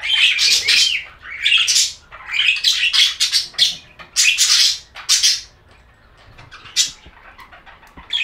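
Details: Pet budgerigars chirping in bursts of bright, scratchy warbles and squawky chirps, with bouts of dense chatter separated by short quiet gaps; high-pitched throughout with little low sound.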